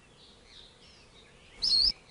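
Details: An 'Akikiki, an endangered Hawaiian forest bird, gives a single sharp, high, slightly warbled call lasting a third of a second, after faint thin high notes over quiet forest background.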